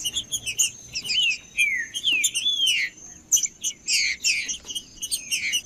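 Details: Song of a captive green-winged saltator, used to stir a quiet caged bird into singing: bright downslurred whistled notes and short sweeps, grouped in bursts about every second, over constant high chirping from other birds.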